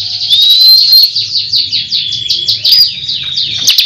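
A Bar-winged Prinia pours out a rapid, unbroken burst of high, sharp chips and trills, strung tightly together without pause.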